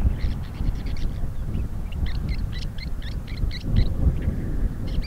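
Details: In Crimea, a rare woodchat shrike gives a rapid series of short buzzy high notes in clustered bursts, with pauses between groups, partly masked by loud low-pitched wind.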